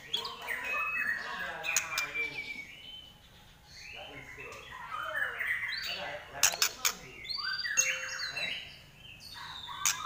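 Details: White-rumped shama (murai batu) of the Trek Pastol line with a shrill 'nyelit' voice. Busy, overlapping whistled phrases rise and fall, with sharp clicks and broadband bursts near six and seven seconds. Faint human speech sits underneath.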